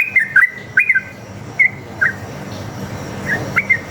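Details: Sooty-headed bulbul song, played as a lure to make other bulbuls answer: short bubbly whistled notes around the middle-high range, given in brief clusters separated by pauses, over a steady low hum.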